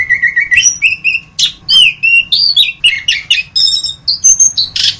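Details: Orange-headed thrush (anis kembang) singing a rich, varied run of clear whistled phrases, some steady and some sliding, mixed with short buzzy and chattering notes in quick succession, with a faint low hum behind.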